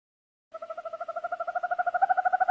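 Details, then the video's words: Owl call starting after a brief silence: a fast, even series of soft, hollow hoots that grows steadily louder and rises slightly in pitch. "Tiếng chim Cú(Mèo) | Sound of the species Strigidae"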